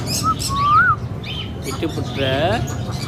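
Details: Green Indian ringneck parakeet talking: a short whistled note, then a longer smooth rising whistle, followed by a buzzy, harmonic, speech-like burst near the end over steady low background hum.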